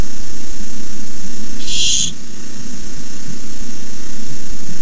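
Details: Barn owl at a nest camera on May 29, 2015, begging as a rat is delivered as the fourth treat: a single harsh, hissing screech lasting about half a second, over steady low rumbling background noise.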